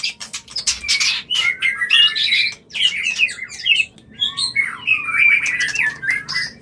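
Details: White-rumped shama mating song, used to bring a bird into breeding condition: a fast, varied run of bright whistled notes, chirps and sliding phrases with short pauses between bursts, over faint low background hum.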